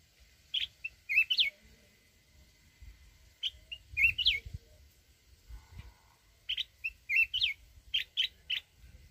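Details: A mountain red-whiskered bulbul gives its wild forest-voice song, meant to provoke other birds. Clear, lilting whistled phrases of several quick notes repeat roughly every three seconds in quiet surroundings, with faint low rumble.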